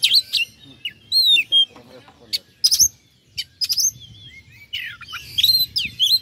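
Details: Oriental magpie-robin song used as a lure to provoke rival birds: loud high whistled notes, sharp upslurs and harsh buzzy bursts in a varied, rich mimicking sequence, with a low hum underneath.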